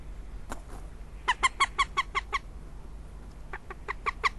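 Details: Northern goshawk in Riga on 15 February 2017, two bursts of fast, harsh, clipped notes repeated about three per second, with a gap between, over faint low background rumble.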